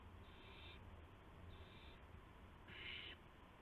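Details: Nest of young owls just after midnight on March 19, 2016, during prey deliveries by the parents. Two fainter rasping hisses, followed by a louder half-second hiss near the end, over a constant low background rumble.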